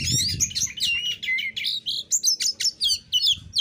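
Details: Oriental magpie-robin in combative song used to goad rivals into replying: rapid, sharply modulated whistles and chirps tumble over each other, shifting to evenly spaced punchy notes near the end, with faint room hum.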